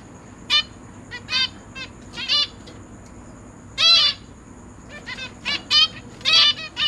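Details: Zebra finch parents feeding three new chicks alongside three older juveniles in a cage: sparse, spaced nasal harmonic calls, one loud longer note near four seconds, then a quicker irregular series toward the end.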